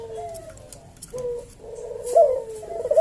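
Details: Slow, spaced cooing of a Javanese collared dove in the 'kuk deruk manggung' style. Low mellow notes come in separate phrases, the last louder and wavering, against a quiet indoor background. Used as a lure and teaching recording for cage birds.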